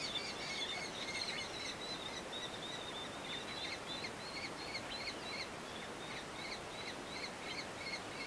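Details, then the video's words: Two red-footed falcon chicks being fed at the nest in a breeding colony near Hortobágy National Park, Hungary, June 30; rapid, continuous high chittering calls, about three a second, over a steady hiss of background noise. "Mom feeding two cute babies | Red-footed falcons"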